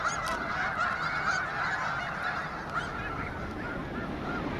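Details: Sandhill Cranes at Bosque del Apache National Wildlife Refuge in November, during the Festival of the Cranes, as the entire flock suddenly lifts off together: a dense chorus of rolling, trumpeting calls overlapping in a steady wash, over low rumbling noise.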